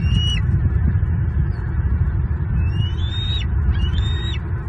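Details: Bald eagles at a Southwest Florida nest, 4 May 2023, filmed by live nest cam, as the adult male drops a large fish for the juvenile's breakfast; three thin, high whistled calls, each rising then dropping, over heavy low rumbling noise.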